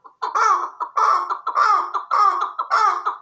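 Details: Chukar partridge calling in a steady series of harsh, harmonic chuck notes, about one every half second, each note loud and clipped with a brief gap between.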